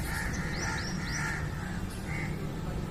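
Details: Crow caws, a few drawn-out harsh notes alongside quick rising whistled sweeps from another bird, over steady low background noise.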